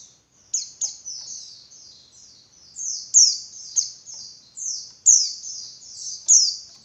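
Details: Female Javan white-eye calling to provoke males into singing more intensely: high, thin whistled notes sliding downward, some with sharp leading clicks, given in a steady run of about one per half second, clean background.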